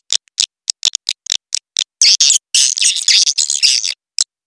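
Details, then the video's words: Swiftlet lure call played to draw birds in from outside: a string of short sharp clicking chirps, then continuous high buzzy twittering, ending with one last chirp. "SUARA PANGGIL WALET SP. PUBER KE 2 ORI (SUARA PANGGIL LUAR /TARIK TERBAIK)"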